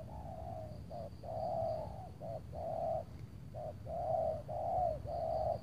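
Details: Loud-voiced spotted dove cooing under cloudy skies before rain at a trapping site, a decoy bird set out to lure it; repeated soft, hollow coo phrases of varied length with short gaps, over a constant low rumble and faint high whine.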